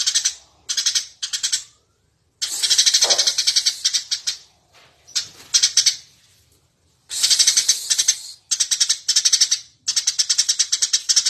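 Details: Eurasian tree sparrow chirping energetically, used to train other birds: repeated strings of sharp, rapid high chirps in short and longer bursts, with a quiet gap midway before chattering resumes steadily.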